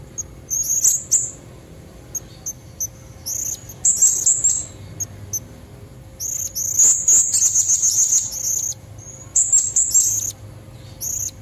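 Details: Female Blue-crowned hanging parrot used as a lure for red-necked males, recorded from nature: dense, shrill, very high chattering bursts and strings of thin notes, some long and buzzy, others clipped.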